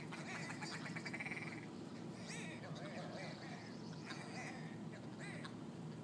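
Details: Squabbling ptarmigan, a large flock on a street in Yellowknife, Northwest Territories; rapid overlapping croaking and chattering notes, some rasping and some nasal, packed into busy clusters throughout, with low rumbling background noise.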